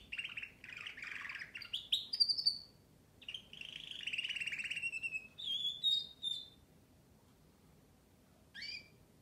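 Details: Canary song: long rolling buzzy trills and warbles, then rising whistled notes, pausing before a final short upswept phrase.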